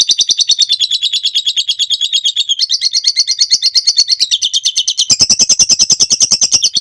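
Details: Long ngekek trill of a lovebird, recorded as training material for other birds: fast buzzy chatter that steps up in pitch midway and again near the end, pulses evenly spaced, no background noise.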